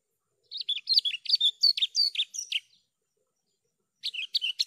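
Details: Javan bush lark in clear lure song: a varied, rapid chattering phrase of twisting whistled and slurred notes lasting over two seconds, a pause, then a similar phrase starting.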